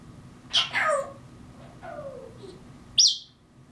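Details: Grey parrot copying mockingbird calls, giving harsh rasping notes, a mewing whine that slides steeply downward, and a closing sharp high squeak, with a low hum throughout.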